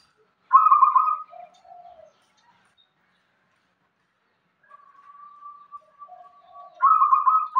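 Zebra dove cooing: a loud, rolling, purring coo, then softer lower notes and a long steady hum before the rolling coo returns. No other sounds.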